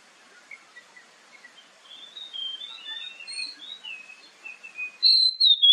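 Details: Oriental magpie-robin song used as a morning and evening lure to draw replies: soft, distant-sounding warbled notes build gradually, ending in a sudden loud, clear whistled phrase.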